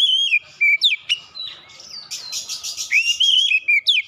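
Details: Provoked oriental magpie-robin in an aggressive song display: clear, sliding whistles and sharp upward notes, broken by a stretch of harsh, buzzy chatter in the middle.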